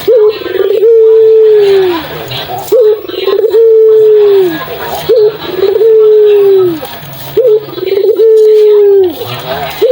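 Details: Ringneck dove (puter) cooing, used as a lure to prompt silent doves to answer: long, level, slightly falling coos, each opened by a short rising note, repeated about every two seconds with brief pauses between.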